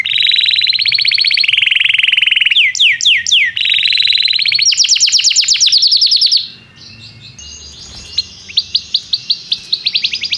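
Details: Canary song meant as a tutor for young canaries learning to sing: long loud buzzy trills and rapid rattles shifting pitch, rising swept notes, then a quieter series of sharp high chips repeated quickly.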